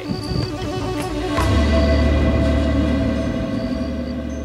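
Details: Loud dramatic music with deep sustained bass and swelling tones.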